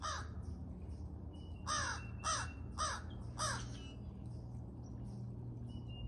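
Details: Crows, a pair very vocal while being fed in the morning, give four loud, harsh caws in quick succession around the middle, each a short arched burst, with fainter calls before and after and a constant low hum beneath.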